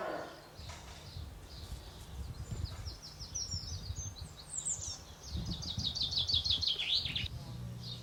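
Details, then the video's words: Songbird perched in a tree in Normandy delivering fast, high, jingling phrases of quick repeated notes that build into a dense trill near the end, over steady wind-like low background noise. "What kind of singing bird in a tree in Normandy is this bird?"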